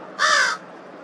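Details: Single harsh, raspy caw of about 0.4 seconds from a crow making an unusual sound at Twin Lakes on March 18th, 2023, followed by quiet background hiss.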